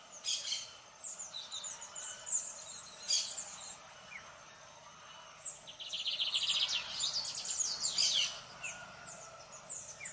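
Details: Lined seedeater singing repeatedly: bursts of high chirping notes and quick trills, including a dense rapid run in the middle, spread across about ten seconds.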